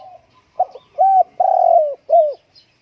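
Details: Spotted dove kept at home on a blustery day: one clear phrase of a short note, an arched hoot, a long descending coo and a final shorter downslurred coo, otherwise quiet.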